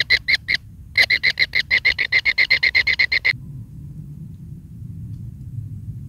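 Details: Kingfisher nestling begging while its mother delivers big rats; a rapid string of harsh rasping notes, speeding into a steady run, then stopping abruptly, leaving low rumbling noise.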